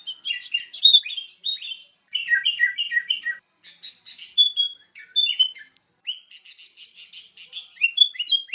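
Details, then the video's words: Sooty-headed bulbul song, used to train songbirds. Bubbly, busy chirping phrases repeat in bursts of about two seconds, mixing falling triplets, slurred whistles and some rougher squawk-like notes. "PIKAT SUARA BURUNG KUTILANG (MASTERAN)"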